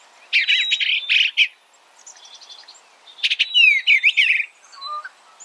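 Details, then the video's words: Two bursts of rapid warbled notes from an Eastern bluebird, separated by a quiet stretch of soft pulsed notes, the second burst with downward-sweeping slurs. "Suara Burung Eastern Bluebird - Eastern Bluebird Bird Sound"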